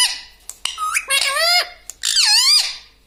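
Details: Pet parrot indoors in a small room, talking with phrases like "mitthu mitthu": short clicks, then a few squeaky, speech-like syllables that slide up and down in pitch, ending with a louder nasal phrase that falls away.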